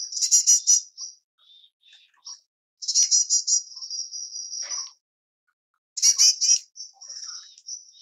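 A White-bellied erpornis gives high, buzzy rattled bursts that trail into thin, drawn-out notes, repeated roughly every three seconds, with nothing else heard.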